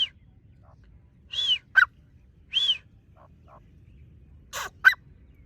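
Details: Partridge (teetar) uttering short arched whistled notes, each followed by a sharp lower note, in pairs separated by silence; a few faint soft notes between; quiet surroundings.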